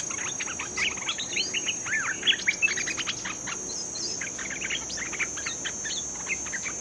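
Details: A freshly caught bulbul in training sings lively repeated chirps and brief warbling whistles, loudest in the middle, with continuous high insect buzzing throughout.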